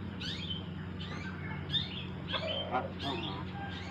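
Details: Javan myna, a talking bird said to imitate Islamic greetings, crying and coughing; a series of short chirped and whistled notes, some sliding down, others rising, spaced every half second or so over a low steady hum.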